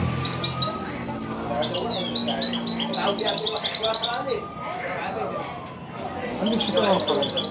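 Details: Mule hybrid of a male goldfinch and a female canary delivering a fast, continuous run of sharp high twitters and trills for about four seconds, after which a man speaks.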